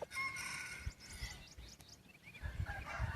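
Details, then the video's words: White-eared decoy chicken with a very pleasing voice crowing: a drawn-out harmonic crow lasting nearly two seconds, fading into low rustling and thumps from the surroundings. "Qaib dib dawb pob tseg zoo nkauj heev(ไก่ต่อหูขาว)"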